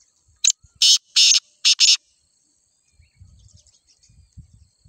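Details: Grey francolin (teetar) in Sindh gives five loud, harsh, grating notes in quick succession over two seconds, followed by quiet low rumbling.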